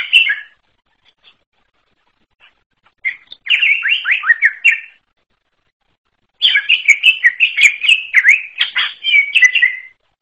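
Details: Greater green leafbird giving an unusual song: an opening note, silence, then two long bouts of rapid chattered and whistled notes mixed with sharp high clicks.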